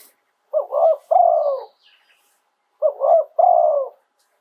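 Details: Spotted dove from Thailand singing live, 'throw two kuk' style: a paired phrase of a quick double coo and a long rolling coo, repeated twice with a silent gap between.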